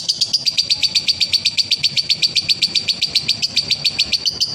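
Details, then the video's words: Konslet ngekek of a male lovebird, used as therapy to prompt other lovebirds: a brisk, metallic string of about twenty-five evenly spaced shrill chirps, uninterrupted throughout. "SUARA BURUNG LOVEBIRD JANTAN KONSLET,TERAPI DOBELAN"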